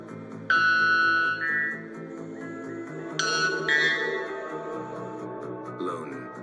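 Loon wailing: long, clear, mournful notes that step up to a higher pitch, repeated twice, over steady background music and a little speech.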